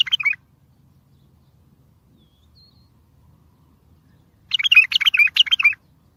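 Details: Strong bulbul song used to lure other bulbuls and draw replies from distant birds: a brief warbled fragment at the start, about four seconds of silence, then a fuller phrase of quick, bubbling notes.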